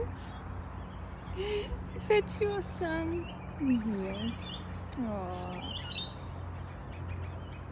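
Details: Australian kookaburra, an adult male calling for his young son; a series of short hooting, chuckling notes, some sliding downward, with a person talking softly over them in the morning.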